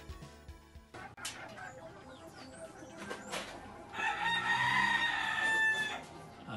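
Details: Rooster crowing in the background of a homemade incubator recording, one of several different roosters heard; a long harmonic crow rises from about four seconds onward after quieter mixed background noise.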